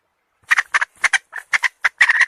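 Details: Chicken hen uttering a string of short, rough, doubled squawks at irregular intervals of about a third of a second, finishing with a longer run of quick, harsh notes.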